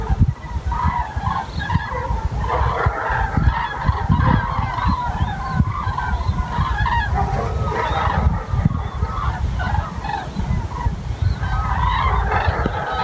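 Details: Common cranes near Wiesbaden-Auringen, Germany: many overlapping trumpeting, honking calls from a flock, continuous and layered throughout, over steady low rumbling noise.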